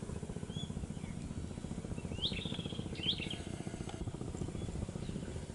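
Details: Shorebirds at a mangrove shore in eastern Aceh, Sumatra, Indonesia: two clear, high calls about a second apart, each a quick rising-then-falling slur, against a steady low rumbling noise.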